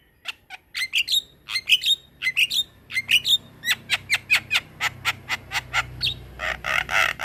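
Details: Black-winged myna singing its long rolling training song, a steady train of sharp chattering notes roughly three per second, mixed with whistled upslurs and ending in rough buzzy bursts.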